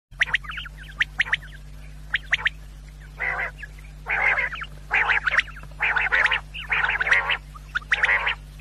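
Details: Quail calling, used as a sound for hunters: bursts of harsh, buzzy, harmonic notes repeated about once a second, mixed with short sharp chirps and a steady low hum underneath.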